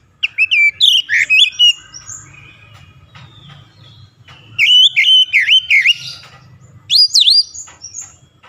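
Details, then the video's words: Oriental magpie-robin song aimed at rousing reluctant singers: three bursts of rapid, piercing whistled notes with swooping upslurs and downslurs, separated by short pauses, with low background rumble. "KICAUAN SUARA TAJAM JERNIH PEMULIH AMPUH KACER MALAS BUNYI"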